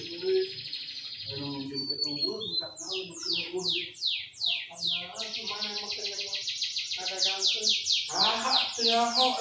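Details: Lively 'gacor' Sooty-headed bulbul song in the 'tembakan' style, played as a lure to make rival bulbuls sing: a long fast series of sharp descending whistled sweeps, rapidly repeated, over lower warbled notes and faint voices.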